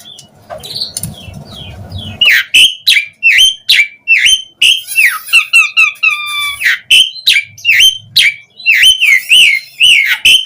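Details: Asian pied starling song for luring other starlings to reply and sing: low hum at first, then a rapid run of loud slurred whistles, a stretch of harsh nasal chatter, and more whistled notes.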